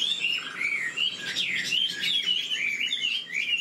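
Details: Chinese hwamei, old and wild-caught, in a cage, sings a quick string of clear whistles, slurred sweeps and short warbled twists, loud and continuous.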